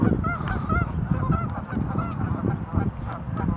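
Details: Flock of geese at a lagoon in Warner Park, Madison, Wisconsin, honking steadily in short nasal bursts, the calls crowding together against a constant low-pitched hum.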